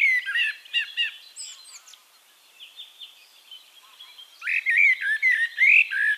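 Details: Eurasian blackbird singing in Castricum, the Netherlands: loud, low fluting warbled phrases opening the stretch, a quiet pause, then a rich run of rising whistled notes. A constant high twittering chorus of other birds fills the background.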